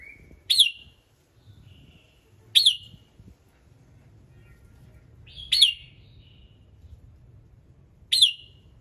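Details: Morning singing of a red-whiskered bulbul, used to set other birds singing: four short, ringing notes with quick falling tails at uneven gaps of two to three seconds, with faint whistles between them and a low background hum.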